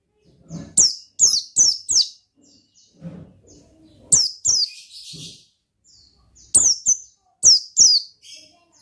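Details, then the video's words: Oriental white-eye in gacor ngalas style: quick clusters of three or four piercing, down-slurred notes, with faint lower murmuring between clusters. "Suara Bikin Pleci Gacor Ngalas Dengan Burung Pleci Gacor NGALAS INI"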